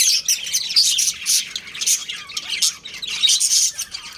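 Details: Breeding pair of budgerigars kept as pets, giving rapid high chirps and squeaky warbles in dense bursts, with short pauses between bursts.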